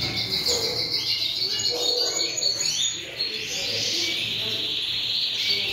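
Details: A collera group of European goldfinches in song, a sustained buzzy, twittering chatter with a steady high trill running through most of the stretch and occasional sharper chirps.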